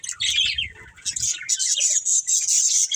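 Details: Budgerigar breeding pair: scratchy descending chirps with low rustling in the first second, then a run of rapid high twitters repeating several times a second.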